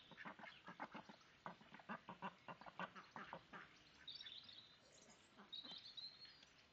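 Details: A domestic duck flock while two adult females wrestle for dominant position and drakes join in to mate. A fast run of rasping quacks comes first, then fades. Thin high whistles of small birds follow near the end.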